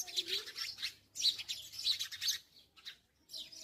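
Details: Sparrow chirping in bright, high bursts of quick notes, several rapid clusters separated by short pauses, with a faint low hum underneath.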